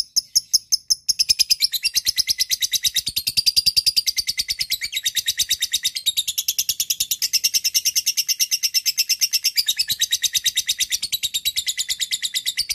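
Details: Lovebird giving a long 'ngekek' chatter, a call to a rival used as a lure: a few sharp chips, then an unbroken, rapid, high, scratchy trill of even pulses running for over ten seconds.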